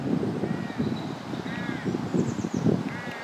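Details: Canada goose on the South Pond, Midhurst, West Sussex, England, apparently part of a courting pair, gives three nasal, arched honks roughly every second and a half over a steady low rumble of wind or water.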